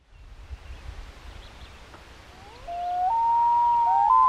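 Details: Loon on Bee Lake, Ontario, June 22, 2018: after a low rumbling start, a long clear tonal wail rises in steps and is held, with a second softer overlapping voice joining near the end.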